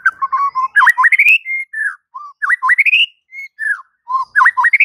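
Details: White-rumped shama singing as a training recording for birds that have gone silent: rich, rising whistles and swooping looped notes repeated in phrases, broken by brief pauses and a few clicks.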